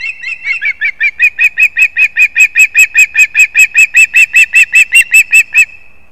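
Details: Osprey chicks competing on their nest in a leaning old pine, Kurzeme, Latvia, 11-9-24. Loud, very regular piping chirps come about two and a half per second, then stop abruptly.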